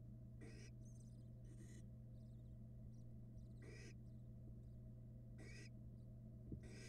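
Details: Barn owl nestlings, a pair feeding on rats in a Florida nest-box camera in 2022; short harsh hissing rasps come roughly every one to two seconds against a steady low hum.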